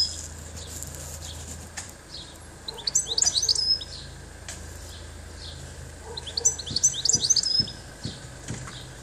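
European goldfinch giving two bright bursts of tinkling, twittering notes about four seconds apart, high and liquid, over a low steady hum.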